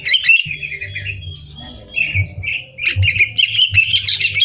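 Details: Competition-training song of a greater green leafbird: long slurred whistles rising and falling, broken by chattering phrases and bright repeated notes near the end, a low hum in the background.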